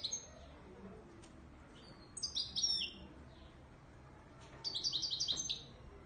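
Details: Moroccan Widani Marrakchi goldfinch singing: two bursts of bright, high twittering notes, the second a rapid run of sharp descending chips, separated by a quiet pause.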